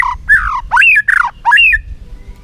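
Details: White-rumped shama during a tail-flicking singing contest: three loud, harsh, drawn-out squawky notes, each swooping down or rising then falling, in about two seconds.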